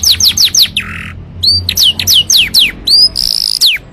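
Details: Canary song to train and trigger other canaries: four quick falling whistles, a low rasping buzz, then rising and falling slurs ending in a short rapid trill.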